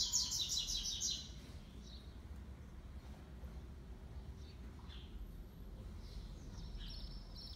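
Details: Brown double-collared seedeater, six months old, singing the classic three-note song against a black-plumaged rival: an opening second of loud, fast, buzzy high notes, then only faint distant chips over steady background noise.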